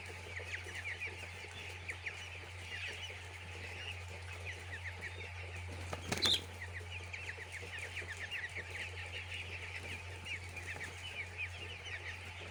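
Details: Many chicks in a poultry house peep continuously, short high chirps overlapping in a thick chorus; a constant low hum runs under it and a brief knocking sound interrupts midway.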